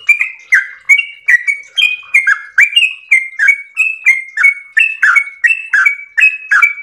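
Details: Trucukan (yellow-vented bulbul) pouring out a long 'ropel' song: about seventeen quick, sweet whistled notes in an unbroken chain, shifting slightly up and down in pitch with gurgling slurs between them.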